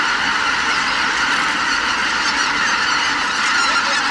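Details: At departure from the roost, a big gathering of greater white-fronted geese fills the air with a loud, continuous wash of honks and yelps blending into one steady roar.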